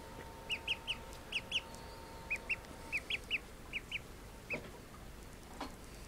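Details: Call duck ducklings, newly woken from a nap, peep in high, clipped notes, often in pairs or triplets, about a dozen over several seconds before falling quiet, against a faint steady hum.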